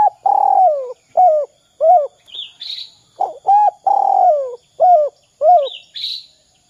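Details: 'Kuk 2' coo of a spotted dove, meant to draw other doves into calling: two full phrases of short rounded hoots, each holding a long sliding coo, with brief high twittering from another bird between them.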